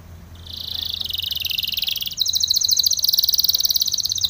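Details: Spanish Timbrado canary song for training: a steady high rattling trill that shifts after about two seconds into a louder, faster pulsed trill at a higher pitch, continuing to the end.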